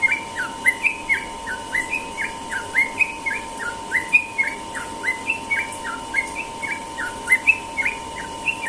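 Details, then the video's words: In the morning, a Sooty-headed bulbul gives its ropel song: crisp, upslurred and downslurred whistles repeated rapidly and steadily for nearly nine seconds, with a faint electrical hum behind. "burung trucukan ropel pagi"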